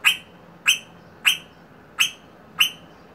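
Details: Rosella giving five bright, clear high notes, each sharp-attacked and briefly ringing, repeated steadily about every 0.6 seconds in a quiet setting.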